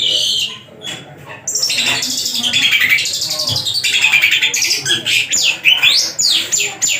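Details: Javan long-tailed shrike, tame and caged, in vigorous song rich in learned phrases: a scratchy warbling run that grows into fast chattering and sharp descending chips, several per second.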